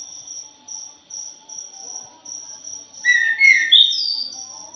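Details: Thrush known as punglor jali: after rhythmic high insect chirping, a short, loud run of whistled notes ends in a high buzzy flourish.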